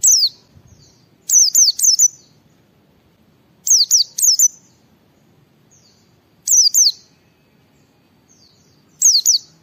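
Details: White-eye singing in ngalas style, used to draw other white-eyes into song: clusters of two to four high, piercing, downslurred whistles repeated about every two to three seconds, with faint softer notes between.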